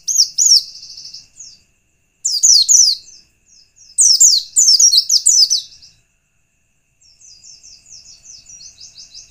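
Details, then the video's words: Lure song of a white-eye, used to provoke other white-eyes into answering: loud bursts of jumbled, very high twittering separated by short pauses, ending in a softer, fast, even trill. "pleci lain pasti ngalas bila mendengar pancingan pleci satu ini"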